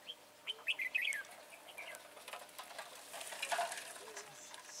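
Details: Red-whiskered bulbul at a decoy trapping session, 22 January 2018. A brisk run of lilting, slurred whistles comes first, then a rustle that may be wing flaps, with a faint noisy chatter behind it.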